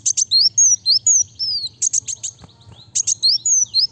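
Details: Kolibri wulung sunbird pouring out quick, high thin whistles that swoop downward, broken by clusters of four buzzy ticks, and a faint low tap near the middle.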